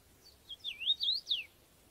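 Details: Field recording of a common rosefinch, a UK bird, giving one clear song phrase of four or five slurred, swooping whistles that dip and rise, ending on a falling note. The background is quiet.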